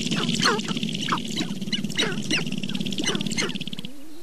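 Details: Several sharp-tailed grouse in April, Namekagon Barrens, northern Wisconsin, giving harsh clipped cackles and clucks over a pulsing low rattle, which fades near the end as a thin rising whistle appears.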